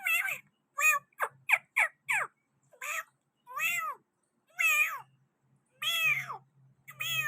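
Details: Pakistani green parrot at a window, producing harsh arched squawks, a rapid cluster of short shrill notes, then slower, spaced, drawn-out nasal screeches about every second.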